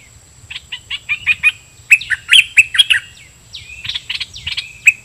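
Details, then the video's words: Caged red-whiskered bulbul used as a decoy, singing doubled song phrases at wild birds: quick chirpy notes, then louder bright slurred whistles and chatter, ending with sweeping downslurred notes and a sharp final chirp; quiet low background. "เปิดดอกเพลงเบิ้ล!! ร้องริกใส่นกป่า"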